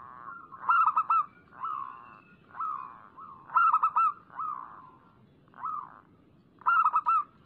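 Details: Local zebra dove in full song, used as a lure recording for doves. Bright stuttering coo clusters alternate with softer rounded coos, the phrase recurring roughly every three seconds against quiet background.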